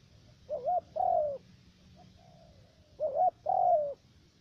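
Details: Trapping decoy spotted dove from U Minh, Cà Mau, Vietnam. Two mellow phrases, each a wobbling short coo then a longer coo easing downward. Faint, low, drawn-out notes are heard in the gap between them.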